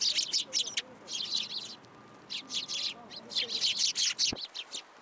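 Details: Sparrows at a Tenmangu shrine on 27 December 2022, gathering to be given food: a dense flurry of sharp, high chirps in quick irregular bursts, several birds calling over one another with brief pauses.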